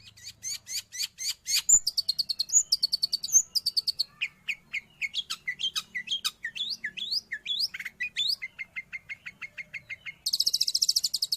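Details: Long-tailed shrike song, used for training pet birds or luring wild ones: a fast varied medley of sharp high chips, downslurred whistles and rapid trills, ending in a harsh buzzy rattle.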